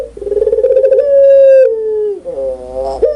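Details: One loud, clear puter pelung (Barbary dove) coo: a throbbing, rolling start swells into a long sustained tone that slowly drops, followed by a short nasal, buzzy closing note.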